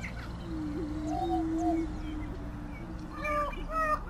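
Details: Greater prairie chicken with a low, hollow hooting boom held for about a second, followed by quieter drone and a few higher whooping notes near the end.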